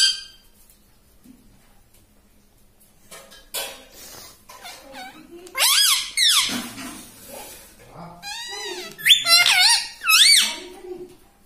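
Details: Talking parrot kept as a pet opens with soft rustling and clicks, then bursts into a run of loud, harsh, wavering syllables, several sliding up and down, with small taps between them.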